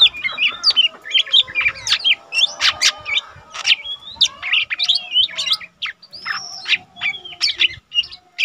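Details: Lesser green leafbird, an untrained bird that already sings often, recorded as a tutor song for teaching caged birds: a busy, continuous run of varied sharp whistles, slurred chirps and quick trills, the phrases tumbling together with barely a pause.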